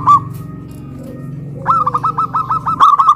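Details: Local zebra doves in Kuningan, West Java, hoisted on a pole and cooing loudly in a duet of a big-voiced and a crystal-voiced bird. A faint steady hum runs under a quick run of rapid, even, clipped coo notes in the second half.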